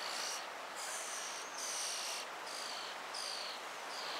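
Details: European starling chicks in a tree cavity, fed by a busy parent in 2024, give harsh, raspy hissing bursts, each about half a second long, repeated in a steady pulsing chorus with little pause between.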